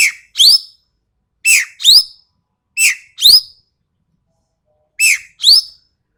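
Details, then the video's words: Sumatran ekek keling with a sharp, harsh voice repeating a two-note phrase, a clipped lower rasp then a rising strident note, four times over six seconds with gaps between. "MASTERAN BURUNG EKEK KELING SUMATERA SUARA TAJAM DAN KASAR"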